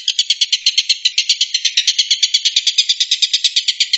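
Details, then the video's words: Rapid mechanical rattle from a Stork-billed kingfisher, the 'tembakan' call valued by contest judges and used to train White-rumped shamas; coarse, buzzy pulses about seven each second, sustained steadily for the whole stretch. "TENGKEK BUTO MASTERAN MURAI BATU"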